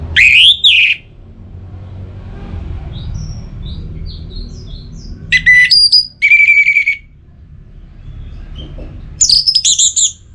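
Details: Orange-headed thrush song played to prompt singing in kept birds: a rising-falling opening whistle, faint high chips, then quick chattering bursts and a sustained whistled phrase, more bursts near the end over soft low hum.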